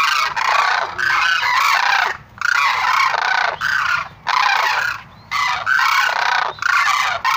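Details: Sarus crane: repeated bursts of loud, raucous trumpeting from several birds, each lasting about a second and separated by short gaps.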